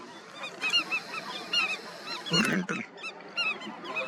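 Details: Many Indian skimmers at their colony keep up a busy chorus of short, nasal, honking yelps, roughly evenly spread through the recording, broken midway by a brief dull thump.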